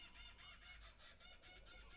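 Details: Several laughing kookaburras just outside a window in Australia, hidden from view, give a rolling, cackling chorus of rapid, harsh, repeated hoots, with a steady low rumble of wind or handling underneath.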